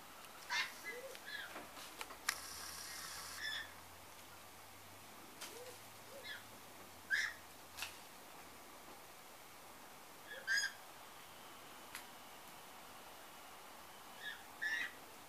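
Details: White-winged choughs, some leg-banded, at a backyard bird feeder in O'Connor, Canberra, in 2022, give short, scattered calls between pauses over a low engine hum.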